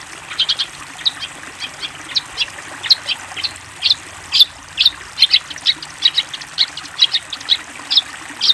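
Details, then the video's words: Long-tailed shrike master song for training juveniles: a steady string of sharp, high chirps about once per half second, growing louder, over a soft constant hiss. "MASTERAN BURUNG CENDET COCOK UNTUK CENDET TROTOL / ANAKAN ANDA"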